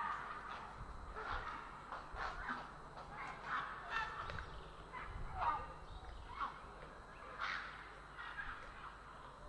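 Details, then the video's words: Grey heron in Estonia on 3 April 2017 giving harsh, grating croaks, several overlapping calls every second or two, over a steady low rumble of background noise. "Grey Heron"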